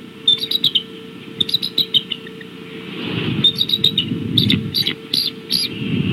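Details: Bald eagles at Decorah, 17 March 2016, 6:15 pm, uttering short squeaky chittering bursts, while rising rustling and wind-like noise grows louder during the second half.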